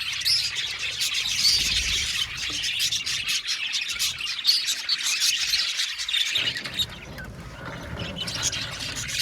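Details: Budgie colony in an aviary, dense chirping and squawking from many birds, the chorus thinning and softening toward the end.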